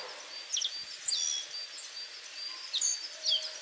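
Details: Black-faced bunting perched on a cherry tree branch, giving high, thin, slurred notes and quick chips in short bursts about every second, over a steady background hiss.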